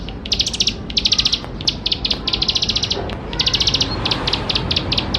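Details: Bar-winged prinia singing a richly varied song for prompting young birds to sing; nearly continuous high phrases of rapid pulsed notes mixed with separate sharp single chips.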